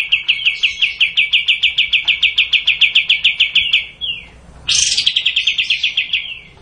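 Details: Kapas tembak bulbul giving a long bursting song: a rapid, even string of bright chipping notes about three per second for four seconds, a brief pause, then a higher slurred note leading into another fast run.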